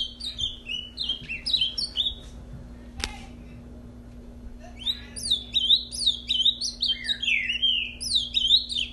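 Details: A captive ultramarine grosbeak, brought back to sing just after mating, sings a fast, rich warble of clear slurred whistles, rising and falling in two bursts split by a short pause; a steady low hum beneath.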